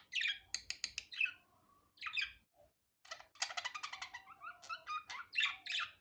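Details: Unedited natural budgerigar voice: rapid clicking trills and chattering warbles, high and buzzy, in two bursts separated by a short pause.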